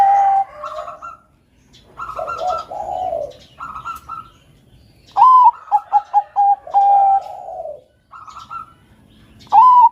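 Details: Zebra dove of the Bangkok type in melodious song for stimulating other doves: soft purring coos give way to a loud phrase of a rising note, rapid staccato pips and a drawn-out ending. A new phrase starts at the close.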